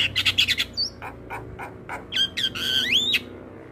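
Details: Javan myna training song with full fill-in: quick harsh bursts, a thin high whistle, scattered clicks, then a long sliding whistle that rises and dips.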